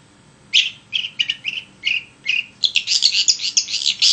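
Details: Vigorously singing long-tailed shrike, a recording meant to spur other shrikes into song: a run of clipped high chirps that speeds into a dense, scratchy, chattering jumble of rapid notes toward the end.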